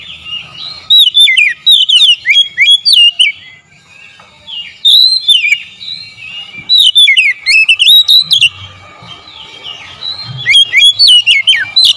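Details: Oriental magpie-robin singing as a lure for provoking song: four bursts of fast, varied whistles and slurred notes, pauses of a second or two between, a low hum in the background.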